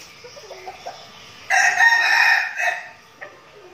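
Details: Decoy red junglefowl from a practising flock in Bình Phước, Vietnam. Quiet clucking leads into an abrupt, loud, rasping crow of about a second with a short tail note. Scattered soft clucks follow.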